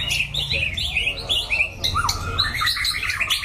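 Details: White-rumped shama, a caged competition bird with a loud, varied voice, singing quick high whistled phrases, then a falling slurred note and a rapid series of bright chirps.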